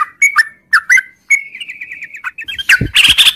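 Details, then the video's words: Long 'ngropel' song of a sooty-headed bulbul in the morning: a few separate whistled slurs, then a fast wavering run of notes. It ends in a loud harsh, scratchy burst with a low thump. "suara trucuk ngropel panjang di pagi hari"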